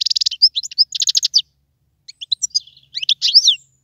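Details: Wild European goldfinch song: quick runs of bright, tinkling repeated notes, a short pause, then varied twittering phrases with sweeping slurred notes.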